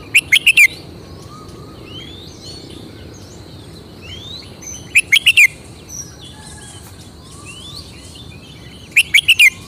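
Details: A red-whiskered bulbul, kept as a Thai cage songbird, shows off its individual song style. Three short clusters of quick, ringing, chirpy notes come roughly every four seconds over soft background whistles from other birds.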